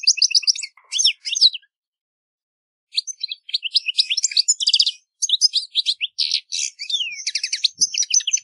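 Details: Wild European goldfinch song, Carduelis carduelis, outdoors: rapid liquid twitters and trills delivered in two long bursts separated by a silent gap of over a second, bright and high-pitched throughout.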